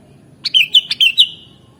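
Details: Bright, gurgling phrase of five or six whistled notes from a sooty-headed bulbul, delivered quickly and evenly before the recording falls silent apart from a soft low hum.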